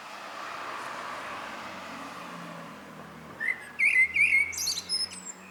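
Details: Common blackbird's evening song: a steady low rumble like distant traffic fills the first half, then one clear phrase of fluted whistles followed by quick, high, scratchy twitters.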